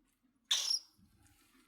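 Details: Cockatiel giving a single harsh, scratchy screech lasting about a quarter second, then quiet with faint low rustling.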